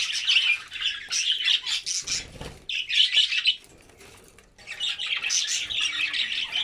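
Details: Albino red-eyed budgerigars feeding on vegetables: dense high chattering and squawky warbling from several birds, with a brief gap of quieter low rustling in between.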